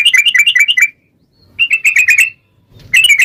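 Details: Yellow-vented bulbul singing in a lively, long 'ropel' style: three bursts of rapid, bubbly chirped notes around two to three kilohertz, separated by short pauses, with no other sounds.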